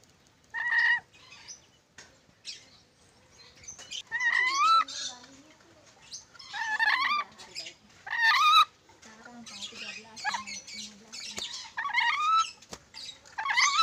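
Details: Ornate lorikeet from Sulawesi giving bursts of harsh, chattering calls mixed with clear whistled upslurred notes in uneven phrases, separated by short pauses, over a low steady hum.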